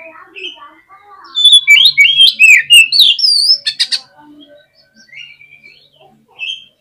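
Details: Oriental magpie-robin (kacer) singing a fast, agitated song meant to provoke other kacer: loud varied whistles, rising and falling slurred notes and sharp bursts in a rapid run, then softer scattered notes and a final whistled phrase.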